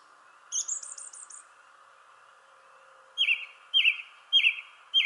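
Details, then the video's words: From a shrubbery tree a thrush gives a high rapid trill of five quick pulses, pauses, then repeats a short, flat, ringing note four times about every half second over a low hum. "Thrush Sings in the Shrubbery Tree."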